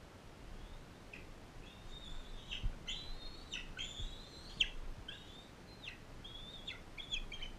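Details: Captive non-releasable adult female bald eagle fostering a bald eaglet from Powell River in rehabilitation care, feeding and guarding it. A thin, high, whistled chirp sequence with short squeals, about a dozen notes over eight seconds, over a faint low rumble.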